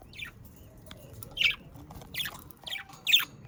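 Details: Budgerigars kept as pets in South Holland, Netherlands, giving sharp, bright chirps about every three-quarters of a second, each a short buzzy burst, with quiet gaps and a soft background murmur between notes.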